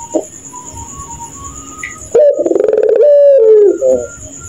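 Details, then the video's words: At night a puter pelung dove gives its laughing call: a sudden two-second run of fast, stuttering, low coos ending in a drawn-out dip, over constant high-pitched cricket-like buzzing and faint distant whistles. "Burung Puter Tertawa Kuntilanak Jahat di Malam hari dan sangat gachorrr"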